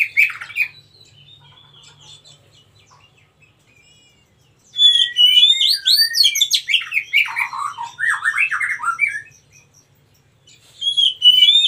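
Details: Long song bout from a wild Oriental magpie-robin. Opening chirps give way to a rich, varied stream of whistles, slurs and lower warbled trills lasting several seconds. A final loud whistled phrase follows a short pause.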